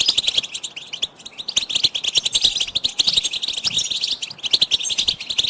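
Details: Goldfinch singing for teaching young songbirds, a lively stream of rapid chirps, tinkling notes and short trills delivered without pause.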